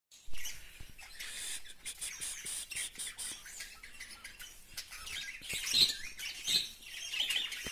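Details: Breeding budgerigars in Gondia, Maharashtra, India, in January 2020, chatter in a busy stream of scratchy chirps and squeaky warbles.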